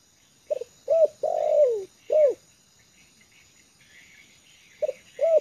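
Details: Trained spotted dove calling from the ground of a yard, at ease: a pip, a rounded coo, a long falling coo and an arched coo, then after a quiet spell a new phrase begins with pip and coo.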